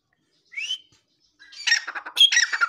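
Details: Grey francolin calling: one short, rising clear whistle, a pause, then a burst of harsh, loud, scratchy notes repeated in quick succession, some higher and shriller, ending abruptly.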